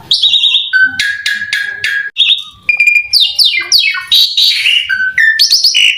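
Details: Rich, rapid song of an Asian pied starling played as a lure to make other starlings sing: ringing whistles, raspy falling slurs and chattering notes, with one short pause midway.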